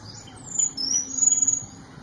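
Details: Small niltava giving thin, very high whistled notes: a few drawn-out, level or slightly falling tones, some overlapping, over a faint low hum.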